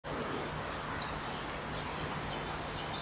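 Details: Male common kingfisher calling outside the nest at 06:48 on 3 June 2015 while the female lays her fourth egg. Short, high, shrill piping notes come about five times in quick succession in the second half, over steady hiss and low hum.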